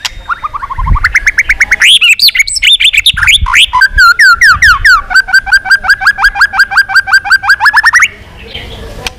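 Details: Captive white-rumped shama singing in a training recording used to provoke other birds into competitive singing: loud whistled phrases rising and falling, then a long run of rapid repeated notes ending abruptly at eight seconds.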